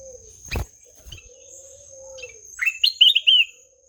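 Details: A ruby-throated bulbul's melodious phrase near the end: a rising swoop followed by a quick string of sweet, chirpy warbled notes, after a thud and a low faint hum, with a steady high whine behind.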